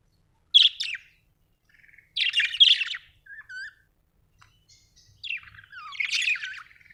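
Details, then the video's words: Budgie chirping: a sharp buzzy note, a rasping chattering phrase, a couple of soft whistled slurs, then a longer warbled scratchy phrase with downward-sliding whistles. "Budgie chirping sound"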